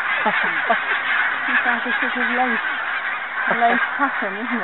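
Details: Flock of barnacle geese recorded on Arran and Islay during a 2009 tour, giving short, yapping honks in quick bursts, some paired and stepped, over a continuous crowded chorus of further geese.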